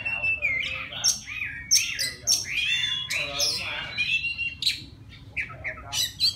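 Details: Male-style song of a wild white-rumped shama calling a female, made of slurred falling whistles mixed with harsh raspy notes and high sharp chips, delivered in quick, uneven bursts over a faint constant hum.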